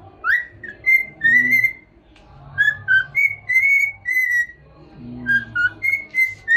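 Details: A happy cockatiel whistles while head-dancing: a short tune of bright, clear notes that slide up and hold, in two similar phrases over a faint low background hum.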